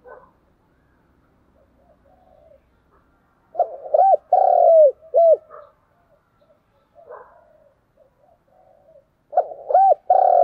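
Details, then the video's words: Spotted dove giving an urged-on, combative cooing display. Mellow, low coos come in two bursts: a run of three hooked, swelling notes near the middle, then a loud pair at the end. Quiet stretches with faint soft notes separate them. "cu gáy thúc gù// Cu gù đấu sung nhất"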